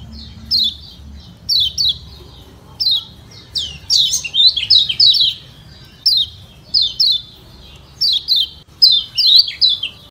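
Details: Yellow white-eye (kecial kuning) of Lombok uttering a provoking 'ciak ciak' call to make other white-eyes reply: thin, high, falling chirps grouped in short bursts, one fuller flurry near the middle, steady hum behind.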